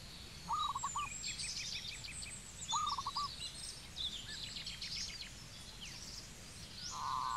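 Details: Zebra dove in Cambodia: short staccato trilled cooing phrases rise and fall twice, then a steady buzzy trill closes, while other small birds chirp and twitter higher above.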